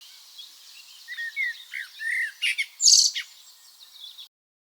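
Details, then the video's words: Common blackbird giving an alarm call at 4:30 in the morning outside a bedroom window: a run of short chirps and sharp, high clicking notes that grow louder toward the middle, then fade into faint hiss. "Blackbird 4.30 Alarm Call"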